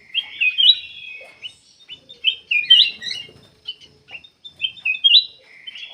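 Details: Black-capped bulbul singing vigorously, used as a lure to coax other birds into song; clear, high whistled phrases with quick slurred notes, delivered in separate bursts with short quiet gaps.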